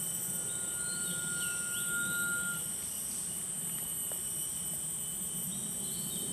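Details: At Panti Forest, Johor, Malaysia, a rail-babbler circles while being whistled to: the loudest whistles are human imitations, so this long, thin, even-pitched whistle over a shrill insect chorus may be man-made rather than the bird.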